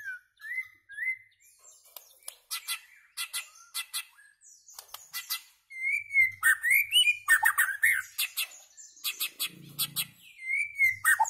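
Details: White-rumped shama song: short rising whistles, then series of sharp high chirps and rapid rich warbled phrases, the later part louder and denser.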